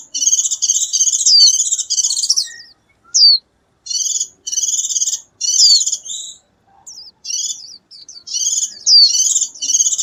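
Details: A white-eye in the wild, singing to call its flock: rapid, high twittering phrases full of thin slurred notes, in bursts of about a second with brief pauses between.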